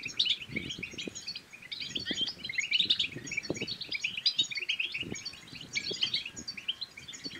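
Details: Goldfinch singing to encourage another goldfinch to sing and mate, a dense unbroken run of tinkling, twittering notes with short buzzy trills, soft thumps underneath.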